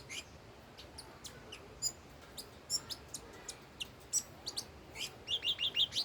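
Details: Old wild red-whiskered bulbul: scattered thin chips and short whistles build up, ending in a clear run of five or six bubbling, wavering whistled notes.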